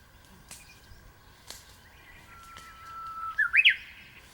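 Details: Early-morning Japanese bush warbler in the mountains, met while picking wild vegetables; after scattered clicks, one long level whistle swells and breaks into a fast burst of upward-sweeping notes, over quiet background.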